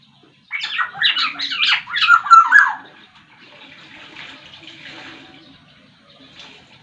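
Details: Sumbawa black-naped oriole, a captive songbird, in a quick burst of varied chattering notes ending in whistled slurs, followed by faint background hiss.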